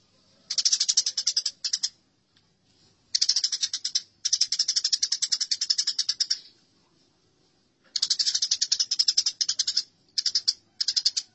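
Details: House sparrows fighting, a fight-call recording: bursts of dense, harsh, rapidly repeated chirps packed into chattering runs of one to three seconds, separated by short silences, with no other sounds.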